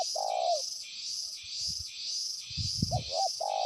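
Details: Trained decoy spotted dove calling to a distant rival. It gives soft low coos near the start and again late on, with a few dull thumps. A loud pulsing insect drone runs steadily overhead.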